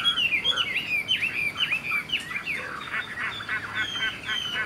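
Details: Caged young Chinese hwamei singing loud swooping whistles, sliding down and up in quick succession, then a faster chattering stretch of rapid notes; faint background hum.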